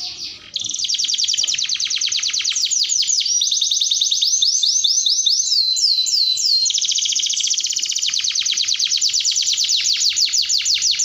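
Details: Long canary song with continuous rolling trills, the tempo and pitch changing between phrases: rapid buzzy rolls, slower sweeping notes around the middle, then another fast high roll.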